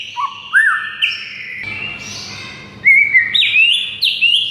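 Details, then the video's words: White-rumped shama tutor song used to stir silent shamas into singing: clear whistled notes that step and slide between low and high pitches, some rising sharply, with short buzzy bursts mid-phrase, over a faint steady low hum. "MURAI BISU SONTAK NAIK EMOSI DAN GACOR DENGAR MASTERAN MURAI SATU INI"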